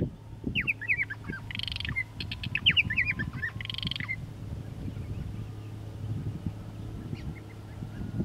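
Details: Purple martins giving a burst of gurgling, chirping chatter with rising and falling notes and buzzy bursts for about four seconds, then fading to a low rumble of background noise with scattered faint chirps.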